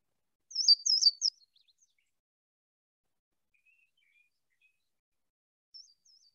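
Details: Louisiana waterthrush (Parkesia motacilla) song, bird of creek riffle habitat in central Alabama: three loud, high, slurred notes in quick succession, then a faint trailing twitter, with a brief thin phrase returning a few seconds later.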